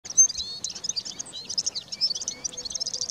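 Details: Red-fronted serin song: a fast, continuous stream of high, thin twitters and tinkling chirps with short whistled slurs, delivered without pause over quiet background.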